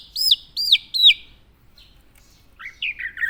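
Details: Tame Javan black-naped oriole calling: three loud, clear whistled notes arching down in quick succession, a brief pause, then a run of shorter buzzy descending notes.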